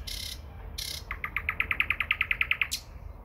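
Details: Nightingale near Moscow in early May, opening with two hissing bursts, then a rapid, evenly spaced run of about fifteen loud clicking-whistled notes that pulse steadily before ending in a final rasp.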